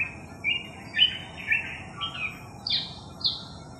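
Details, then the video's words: A Long-tailed Shrike, recorded July 8, 2021, gives a varied run of short, high chirps and buzzy notes, about two a second, over faint hiss, apparently mimicking Crested Myna, Collared Kingfisher, Eurasian Tree Sparrow and Pied Triller. "Long-tailed Shrike Mimicking Other Birds"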